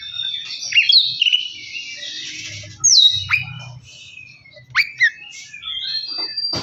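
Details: Oriental magpie-robin lure song for stirring a bird to sing: scattered loud whistles and abrupt downward-sweeping notes between softer chatter, with a faint low hum underneath.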